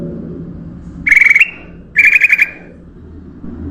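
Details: Ruby-throated bulbul song used as a lure to attract other birds: two short bubbly warbled phrases around the mid-high range, about a second apart, over a low rumble of background hum.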